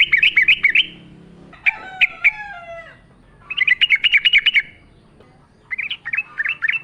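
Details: Yellow-vented bulbul in lively wild-style song among nature sounds as a lure: bubbly chattering phrases of quick notes, with descending slurred whistles from another voice in the middle, then more rapid warbling.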